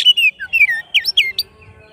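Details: Oriental magpie-robin singing toward a rival: a quick sequence of loud, falling whistled slurs and a sharp rising note, clear above a quiet background.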